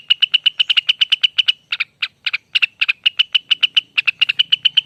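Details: Rengganis, or Lesser green leafbird, in a long ropel song: quick chip-like notes rattled off in series, with a brief gap and some slower-spaced notes midway before the fast run resumes.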